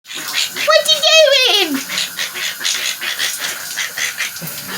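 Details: A pet female monk (Quaker) parakeet on her shower perch gives one loud, drawn-out, squawky call that rises and then slides down, over running shower water.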